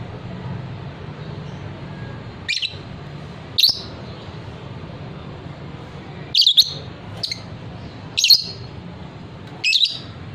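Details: Lovebird of the fighter type, valued for long ngekek trills, utters scattered shrill chirps, single and in pairs, every second or two, with a low hum underneath.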